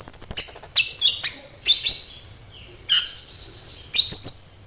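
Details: High, thin sunbird song played as a lure for other sunbirds: bursts of sharp sweeping chirps separated by short pauses, each burst ending in a shrill trill, with a clean background.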